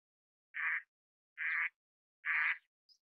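An Eastern spot-billed duck gives three harsh, raspy quacks a little under a second apart, followed by a faint high peep, against an otherwise quiet background.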